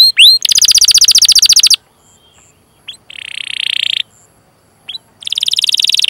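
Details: Canary rolling song used as a lure: rising whistles lead into a loud rapid trill, then pauses, and later steady buzzy rolling trills.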